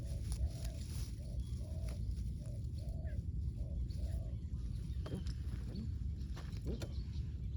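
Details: Spotted dove used as a ground decoy for luring wild doves, cooing in a run of short soft notes for about four seconds, then giving way to rumbling background noise and clicks.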